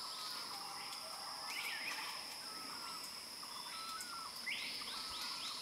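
A male Banded kingfisher gives sharp whistled notes, ending in a quick run of rising whistles, over a steady high drone of insects.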